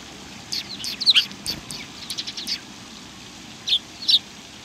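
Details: Sparrows recorded 19 March 2019; a quick burst of high chirps and twitters, then a pause before two louder separate chirps.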